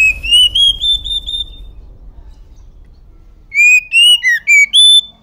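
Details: Female Oriental magpie-robin, its call meant to make males excited and open their tails: runs of pure whistled notes stepping upward, about five in quick succession, a quiet gap, then another similar burst.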